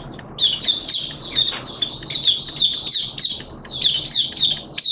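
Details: Caged Malaysian oriental white-eye (mata puteh) singing in open 'buka' style: rapid high twittering phrases, each a cluster of bright slurred notes, repeated about twice a second without pause.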